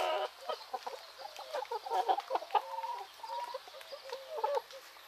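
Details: Hens and roosters in Greek nature in the morning give dense overlapping clucks. A couple of longer drawn-out notes come mid-clip, and wild birds chirp faintly behind.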